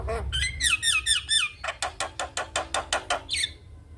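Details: Javan myna song used to teach young mynas, bird nodding: several swooping whistled notes, then about ten evenly spaced harsh clicking bursts and a last upward whistle.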